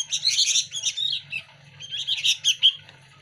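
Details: Local sooty-headed bulbul nestlings compete at hand feeding. Their softer, squeaky chirps come in uneven runs, ending in a sharp single note, with a low hum in the background.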